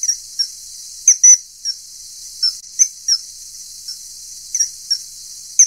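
A common kingfisher gives a dozen or so shrill, piercing, very high 'tseee' notes at uneven intervals. The background is otherwise quiet.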